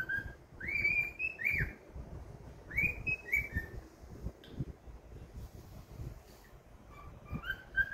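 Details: Pet cockatiel singing happily, giving clear whistled phrases that rise and slide through arching notes, with pauses between phrases and faint background rustle.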